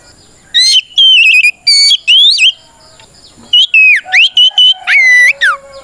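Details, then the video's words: Kacer, or Oriental magpie-robin, singing a challenging song to lure rivals into answering: a run of loud ringing whistles with upward sweeps, a pause of about a second, then a quicker burst of short whistled notes and dropping slurs. "Suara Burung kacer gacor NGEPLONG tarung"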